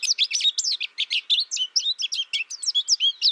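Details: American goldfinch pouring out a dense, jumbled string of high chirps and slurred twitters, roughly eight notes a second, with no pauses.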